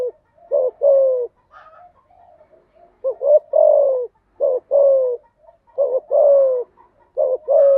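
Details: Lure song of a spotted dove, played to coax newly caught birds into singing; three-note phrases, two brief upswept coos then a drawn-out descending coo, repeated about every one and a half seconds.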